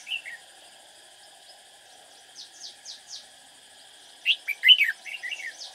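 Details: Red-whiskered bulbul used as a decoy while trapping, singing to draw in rivals. A short chirp opens, then a run of faint downslurred notes, followed by a loud cluster of quick warbled, rising-and-falling phrases, with steady insect drone throughout.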